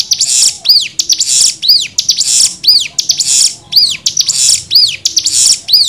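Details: Cigun nembak song used as tutor material for young birds: arched up-and-down whistles with buzzy high rushes between them, repeated roughly six times in steady succession.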